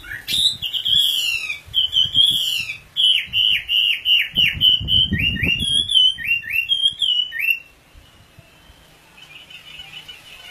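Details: Oriental magpie-robin giving a string of loud slurred whistles, descending sweeps followed by quick upturned notes, ending after seven seconds; a brief rustling thump sounds midway and a soft distant twitter follows.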